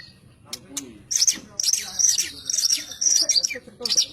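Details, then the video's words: High, sharp chirps and trilled notes from a white-rumped shama, delivered in rapid bursts almost without pause, with faint human conversation in the background. "Kicau burung murai batu super"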